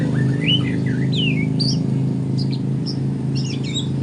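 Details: Juvenile white-rumped shama learning its song in the morning. Wavering whistled phrases are followed by short high sharp notes, over a loud steady low hum.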